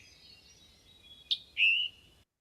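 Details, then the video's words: Scarlet tanager, its song likened to a robin with a sore throat. A faint, hazy trailing phrase is followed by a sharp, clipped "chick" and a short, hoarse burr. "(1) So typically people say that the scarlet tanager sounds like a robin with a sore throat"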